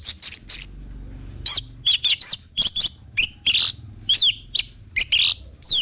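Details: Orange-headed thrush lure song: a steady stream of short, sharp, downward-slurred whistles and chirps, roughly three or four a second, very high and loud.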